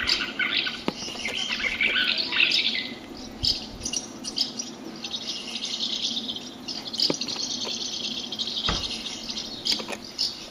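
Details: Common house martins drawn in by songs broadcast near nest boxes; dense, overlapping high twittering and chirps, busiest in the first five seconds, with scattered sharp clicks and a steady faint background hiss.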